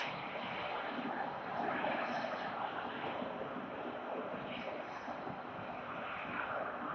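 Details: Continuous wind buffeting and city rumble at a Melbourne high-rise, with no distinct animal call heard.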